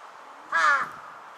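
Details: Juvenile crow in a green park on 8 September 2022, curiously carrying an object in its beak; a single short harsh caw of about a third of a second, rising out of a steady background hum.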